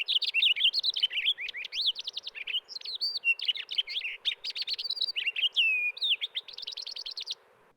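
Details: Cassin's Finch song: a long, rapid warble of varied chirps, slurred whistles and buzzy notes, packed with imitations of Pine Grosbeak, Townsend's Solitaire, robin peek call and Type 1 Evening Grosbeak; faint background hiss.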